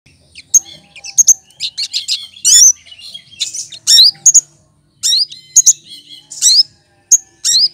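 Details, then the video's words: Cucak kinoy, a green leafbird that imitates other birds' voices, used as a tutor bird for songbirds: bright, high whistled notes and fast rising sweeps in short bursts, with quick chirps between, a soft low hum beneath. "Burung Cucak Kinoy!!!Masteran Pintar Menirukan Suara Burung lain"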